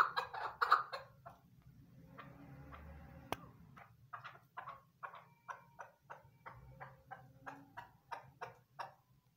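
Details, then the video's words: A female chukar partridge kept as a hunting bird gives about a dozen harsh, mid-pitched clucks, loud at first and then spaced roughly one per second; a brief rustle and a sharp click intrude. "chakor voice keklik sesi shikari awaz"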